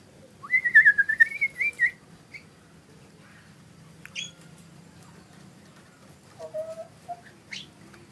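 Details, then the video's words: Lesser green leafbird giving a wavering, warbled whistle that rises and dips for over a second, then scattered short high notes and a lower whistle, with quiet pauses between them. "Suara burung cucak ijo mini"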